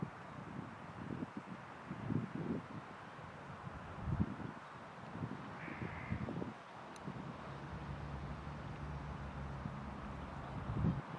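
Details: Hooded crow in Tivoli landscape park, Ljubljana, Slovenia, on 5 February 2024, gives a handful of hoarse, grating caws spaced a second or two apart, over a steady low rumble of wind and traffic.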